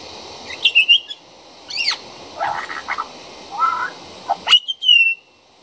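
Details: Juvenile pied butcherbird singing outside a back door, a varied phrase of scratchy notes, downward slurs and harsh squawky elements ending in a clear held whistle, over faint steady background hiss.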